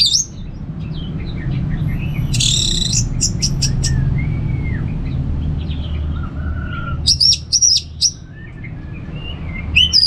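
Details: Orange-headed thrush from North Bali in relaxed ngeplong style, a lure for kept birds: a buzzy burst, scattered slurred whistles and a long falling whistle, then quick high repeated notes, over a low hum.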